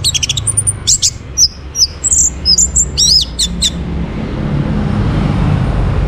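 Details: Orange-headed thrush singing a fast jumble of high chirps and looping slurred notes for about three and a half seconds, played to encourage other birds to sing; afterwards only a steady hiss and rumble remain.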